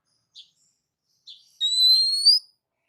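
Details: Oriental magpie-robin song used as training material for caged songbirds: two faint short notes, then a clear, high, slightly rising whistled phrase lasting under a second, with no other sounds.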